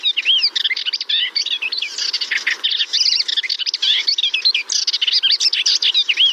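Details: Melodious warbler, named for the imitations in its complex, varied song, delivers a fast, unbroken jumble of scratchy chatter, squeaky twitters and looping whistled notes, with brief dips between phrases.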